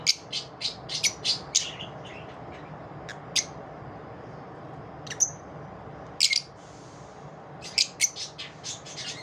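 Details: Lovebirds calling after dawn: bursts of sharp, shrill chirps in quick runs, with a quieter pause in the middle before the squeaky calls pick up again.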